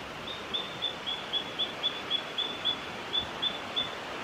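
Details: Satin flycatcher (Myiagra cyanoleuca) in Victoria, Australia, January 2022, calling with a quick run of short, thin, high notes, roughly four a second, over a steady background hiss.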